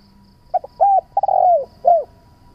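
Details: One complete spotted dove phrase from a recording used to lure doves and make them call: a brief double note, a level coo, a long croo that falls in pitch, then a rounded final coo.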